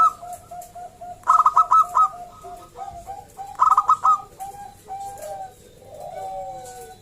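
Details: Local wild zebra dove singing loudly to lure other zebra doves into song: two bright staccato cooing phrases of four to five rapid notes about two seconds apart, over softer lower coos and descending dove calls.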